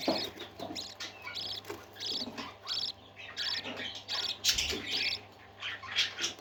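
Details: Happy parakeets singing with quick strings of bright, high chirps and buzzy warbled notes in repeated bursts about every half second, sustained throughout.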